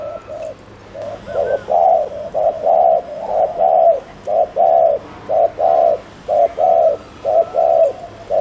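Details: Decoy spotted dove producing quick 'gù' coos to excite wild doves. Low, mellow double notes, short then sustained, come about once a second, starting softer and building to loud, even pairs.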